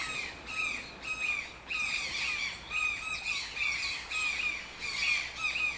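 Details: Toucan giving harsh, nasal squawks with a rich upper layer, repeated about twice a second in uneven bursts. Each note bends slightly downward, and short gaps separate groups of calls.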